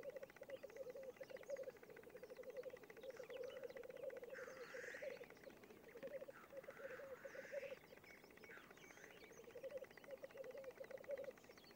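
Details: Black grouse (Lyrurus tetrix), lek bubbling: courtship display at a lek.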